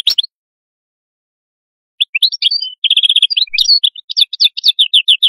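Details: Atlantic canary song starting with a short chirp, then after a pause a lively run of sharp twitters, a steady rolled trill and fast repeated bright notes to the end.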